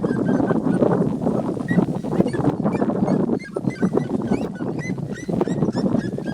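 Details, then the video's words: Three red-legged seriemas sunbathing and calling free in nature: a loud, dense chorus of overlapping, dog-like yelps that run on without pause. "Lindas seriemas vocalizando (TRIO)"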